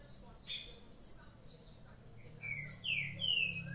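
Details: Green-winged saltator singing in the morning among kept birds. Faint scattered chirps come first, then three loud, ringing, down-slurred whistled notes close together near the end.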